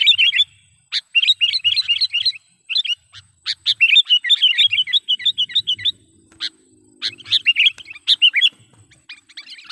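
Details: Trapping lure call from a sooty-headed bulbul: long, near-continuous streams of rapid chattering and warbled chirps, broken by brief pauses and a few louder isolated notes.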